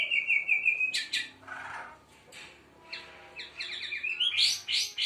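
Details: Young White-rumped Shama (Murai Aceh), seven months old, sings while bowing ('main sujud'): a rapid series of high thin notes, then loud sharp chips with brief gaps and a final fast trilled flourish.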